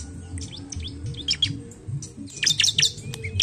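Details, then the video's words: Bar-winged prinia lure song to encourage other birds to sing: softer scattered chirps, then a loud burst of rapid high notes and a thin rising whistle, over low hum. "Pancingan CIBLEK malas bunyi❗"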